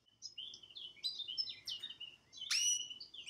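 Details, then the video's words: Pet male canary singing in front of a television, giving varied warbled chirps and slides, then a sharp loud rising note and more twitters. "Best Canary singing live"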